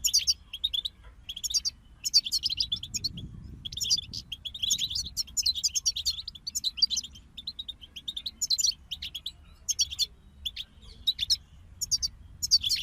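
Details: European goldfinch group singing: bursts of bright, tinkling twitters and buzzy trills, high-pitched, in phrases of about one second separated by short pauses, with a faint low rumble underneath.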